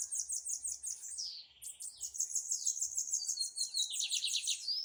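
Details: Blue-black grassquit singing in a dispute: an almost continuous, very high, fast-pulsed buzzy chatter with a short lower drop near the start and steady rapid repetition afterwards.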